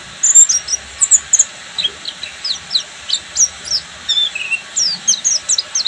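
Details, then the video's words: Buxtomi Oriental white-eye in ngeriwik song, a string of sharp, high, downward-slurred chips and twitters delivered in quick bursts, with faint hiss underneath. "SUARA BURUNG‼️PLECI BUXTOMI FULL NGERIWIK"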